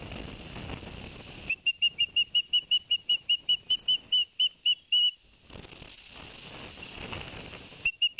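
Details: At the Barnegat Light osprey nest in New Jersey, 11 September 2021, following the male's delivery of two fish: noisy rushing at first, then about fifteen evenly spaced short, high whistled chips, then rushing again.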